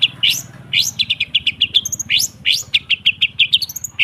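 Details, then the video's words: Long-tailed shrike song meant to coax a stalled cendet into singing: rising buzzy sweeps, then strings of short clear whistled notes repeated rapidly, with occasional high thin squeaks. "Suara TERAPI pancingan cendet /pentet macet total , di jamin buka paruh , Masteran cendet."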